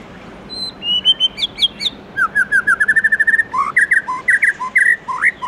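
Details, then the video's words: White-rumped shama in the morning, singing in forest-voice style: a few whistles, then a rapid rattling series of short notes, followed by varied fluty upslurs and chirps. "Chích chòe lửa Hót Giọng Rừng cực hay buổi sáng"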